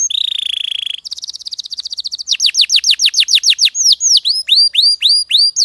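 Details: Canary song used as a lure and master song for training other canaries: rapid tours of a steady high trill, quick chips, then a run of loud downslurred whistles and hooked, rising notes, with no other sounds.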